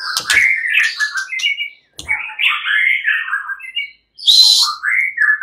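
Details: Agitated male white-rumped shamas of fighter class join in answering each other; rich, slurred whistles rise and fall in short phrases, broken by two brief pauses and a sharp high burst near the end.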